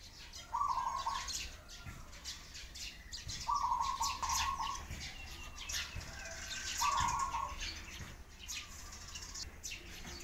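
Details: Three drawn-out, even-pitched pigeon cries, roughly three seconds apart, set against steady high-pitched chirping from sparrows.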